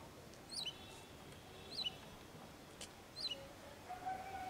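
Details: Wagtail pair collecting food for chicks and calling to each other: three high chirps falling in pitch, about one and a half seconds apart, with a faint lower whistled tone near the end.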